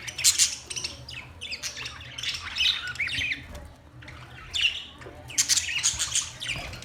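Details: Chirping budgerigars make bursts of shrill, grating warble and squawks separated by short quiet gaps, with a loud cluster near the start and others around two, four and a half, and five and a half seconds.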